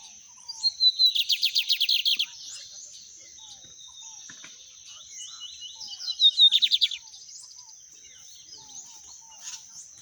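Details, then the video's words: Bigodinho, the Lined Seedeater, singing torneado-style in the wild: two bursts of quick repeated buzzy pulses about four seconds apart, with soft scattered chirps between them and a constant shrill background hiss. "Bigodinho torneado cantando na natureza!"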